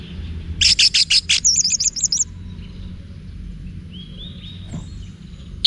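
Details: Anis merah, the orange-headed thrush, delivering a wiksar phrase meant to provoke cage birds: a rapid run of harsh, buzzy high notes flowing into a quick warbled trill, then faint distant whistles and low hum.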